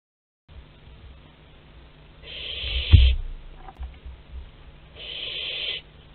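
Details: Young barn owl visiting its parents' food store at Théding, France, on 10 July 2021: two rasping, hissing screeches, each under a second, with a dull thump between them against quiet background hum.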